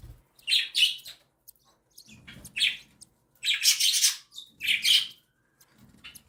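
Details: Mother cockatiel feeding her three chicks, one a day old, two seven days old, while they beg with repeated harsh buzzy rasps, short and long bursts alternating with brief pauses, faint rustling between.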